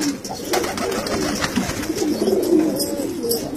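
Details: Indoor cooing from Kalsara domestic pigeons: steady, low purring coos with a few longer drawn-out moaning notes rising and falling, accompanied by light rustling.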